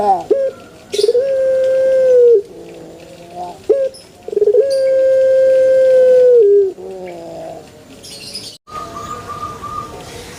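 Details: Puter pelung dove in a banana garden, giving short rising introductory notes, then a long steady drawn-out coo held about two seconds; the pattern repeats once, followed by a fainter higher note.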